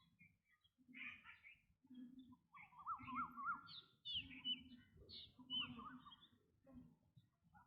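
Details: Black drongo calling: short scattered chirps, a wavering mid-pitched warbled phrase near the middle, then sharp, higher, clipped notes, all over a low steady hum.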